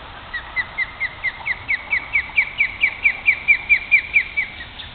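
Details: Osprey at a nest in Great Neck, New York, one of a male and female pair defending the nest from a person. It gives a steady run of sharp, high, chirping whistles about four per second, each slightly down-slurred, growing louder over five seconds.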